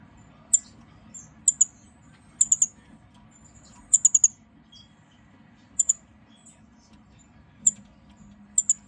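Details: A pair of blue-faced parrotfinches (Erythrura trichroa) on a wooden perch give very high, thin, sharp tsit calls, singly or in quick bursts of two to four, spaced irregularly over a faint low hum.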